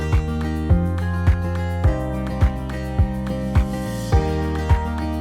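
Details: Loud upbeat music with a regular beat about twice per second and layered instrumental tones; no animal sounds.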